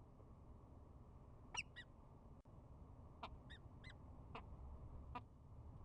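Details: A peregrine falcon of a nesting pair, bowing at the start of the spring season, gives about seven short, clipped chup notes, singly and in quick pairs, over a steady low rumble of wind or distant traffic.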